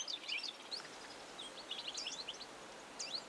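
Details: European goldfinch (Carduelis carduelis) twittering in quick, high bursts of thin, twisting chirps with short pauses between phrases, against steady low background noise.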